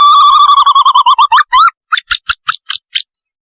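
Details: Owl lure sound for catching owls: a rapid tremulous trill that slows into separate rising notes, then six higher, short, evenly spaced calls, clean with no background noise.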